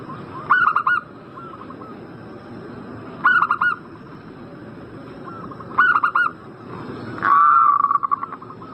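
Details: Zebra dove calling in breeding condition, a lure to prompt another bird to answer: phrases of four or five rapid, mellow, harmonic coos, repeated about every two and a half seconds, softer trailing notes between, and a longer buzzier burst near the end.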